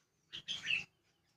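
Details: Sooty-headed bulbul in a rural countryside setting, giving a brief pair of bright chirped notes, a short burst followed by a fuller, slightly rising phrase, against a quiet background.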